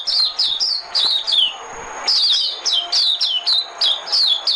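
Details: Decoy white-eye song for luring birds: bright, high-pitched chirps falling in pitch, delivered in fast repeated runs, with a short lull before a longer, denser burst.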